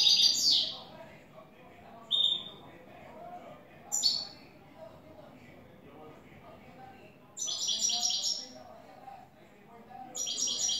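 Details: New European goldfinch singing clean song in the style called "el tres vueltas": high, bright twittered bursts at the start, near two and four seconds, then a longer buzzy-trilled phrase and a final burst, quiet pauses between.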